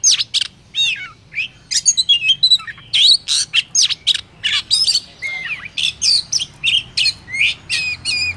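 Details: Lure-style song of an Oriental magpie-robin, recorded in Vietnam and used to provoke singing: quick alternating whistles, rising and falling slurs and chattering notes packed closely together, with a faint low hum underneath.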